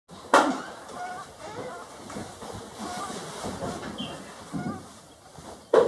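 Two harsh, nasal duck calls, one at the start and one at the end, with a low murmur of background sound between them.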